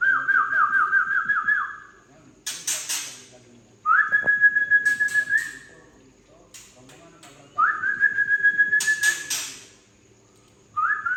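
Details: Tangse white-rumped shama giving coarse trek calls to provoke juvenile birds: long level whistles, some with rapid wavering, alternate with loud harsh rasping bursts, in three repeated phrases.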